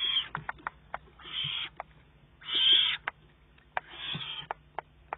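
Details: Juvenile Eurasian eagle-owl on 19 June 2011 begging from its mother despite feeding itself; four rough, hissing screeches of roughly half a second, separated by brief snapping clicks.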